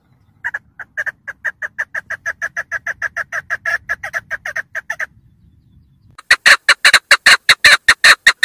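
A female chukar gives a fast series of clucking chuck notes, about three a second, then a louder, harsher run of rapid clucks after a short pause.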